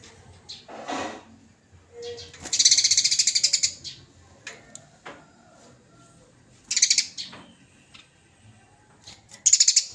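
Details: Eurasian tree sparrow in fighting mode, chosen by judges as training material: several bursts of fast, high, buzzy chattering chirps separated by pauses, with scattered single chips between.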